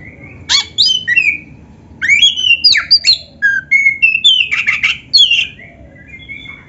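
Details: Oriental magpie-robin of the black-breasted form singing vigorously, with canary-style phrases mixed into its song. A near-continuous run of bright whistles, sharp rising and falling slurs and buzzy chips, packed closely over about seven seconds.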